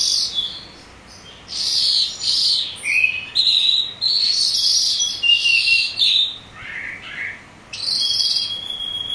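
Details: Calandra lark song, used as a lure to get larks to respond: a rapid, continuous jumble of harsh chirps, trills and thin high whistles, delivered in dense bursts with brief pauses. Finding: Calandra lark.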